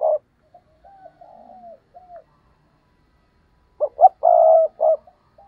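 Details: Stuttering 'gù cà lăm' cooing by a decoy spotted dove, aimed at drawing in wild rivals. Quiet sliding coos lead into a loud burst of two clipped notes, a long coo and a trailing short note.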